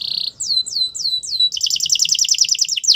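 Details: Belgian canary song to make other canaries sing: a short rapid trill, four clear descending whistled sweeps, then a dense fast trill of doubled notes.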